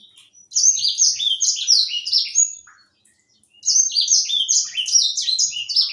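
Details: Young black-throated canary (Edel sanger), a seed-eating songbird kept as a tutor for other songbirds, singing prolifically: two bursts of high, sweet, rapidly tumbling whistles, each note sliding downward, separated by about a second of silence.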